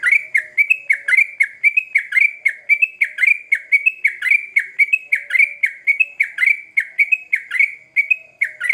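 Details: Yellow-vented bulbul, locally trucukan, calling loudly and tirelessly as a lure to make other bulbuls answer quickly: a long, insistent stream of clipped, dipping chirps, close to one per second's fraction, evenly loud throughout.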